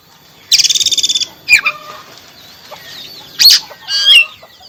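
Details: Oriental magpie-robin song for a caged bird that has stopped singing: a high buzzy rattle, then varied whistled and slurred notes in short separate phrases.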